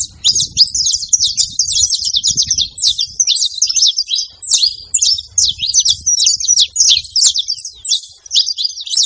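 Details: Free saffron finches gathered at a feeding spot chatter together: a steady, crowded stream of high, quick chips and twisting squeaks over nine seconds, with soft low rumbling sounds in the background.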